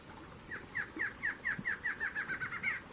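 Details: Barred antshrike recorded at a new southern record site for the species: an accelerating series of about fourteen short nasal notes, rising in pace and ending in a quick rattle, over steady background hiss.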